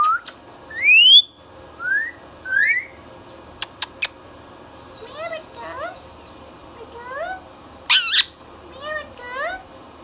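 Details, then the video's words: A green ringneck parrot kept as a talking pet sweeps up in thin whistled notes. It adds a few sharp clicks, then a string of soft rising chirps and one loud harsh squawk near the end. "Indian Ringneck Parrot | Ringneck Parrot Talking | Indian Mithu Tota | Parrot Natural Sounds"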